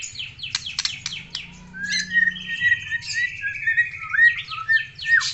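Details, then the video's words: White-rumped shama, Aceh type, singing vigorously: a burst of rapid, scratchy, descending chips, followed by smooth whistled phrases that rise and fall, with a faint low hum beneath. "MURAI BATU SUPER GACOR"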